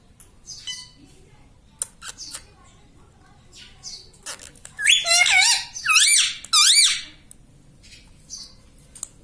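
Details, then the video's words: Pet talking parrot that says "mitthu" and "mummy": mostly quiet with faint clicks, then three loud, closely spaced nasal phrases with looping rising-falling pitch near the end. "Talking parrot - Mitthu mitthu - Mummy Bolne Wala Tota"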